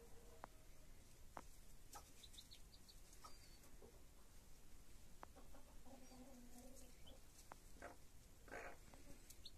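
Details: Broody hen and chicks: low, rhythmic clucking in the second half, with sharp clicks, rustling and a few faint high peeps over constant low background noise.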